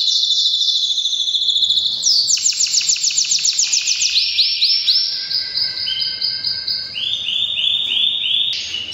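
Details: Canary in breeding season, pouring out continuous high song: a rolling trill, a burst of fast repeated notes, then lower looping whistles and a final bright phrase.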